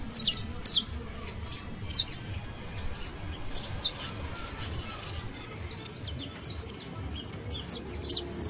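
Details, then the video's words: Young saffron finch, canario basto, giving thin, high, quickly falling notes in loose bursts, some doubled, over steady low rumbling background noise. "CANTO: CANARIO BASTO [SICALIS FLAVEOLA JUVENIL]"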